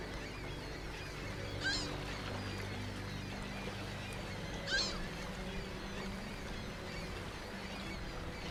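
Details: Ring-billed gull during migration giving two separate short, sharp, ringing cries about three seconds apart, over a steady low rumbling hum and faint background chatter.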